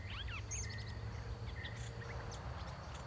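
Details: Red-whiskered bulbul used as a caged decoy to lure wild birds; a large, big-crested wild bird came quickly and sang well. A quick burst of bright warbled, swooping notes opens, then fainter chirps over a steady low rumble.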